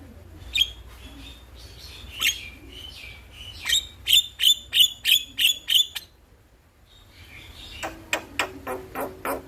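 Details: Morning starling recorded to coax birds into singing: scattered bright chirps, then a regular run of seven sharp whistled notes about three per second, a pause, and a train of clicking notes.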